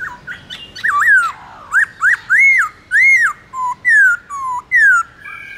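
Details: Black-throated laughingthrush in morning competitive 'forest voice' singing, played to spur captive birds to sing: loud, clear whistled notes arching up and down, each about half a second, with short gaps between and a few sharp upslurs.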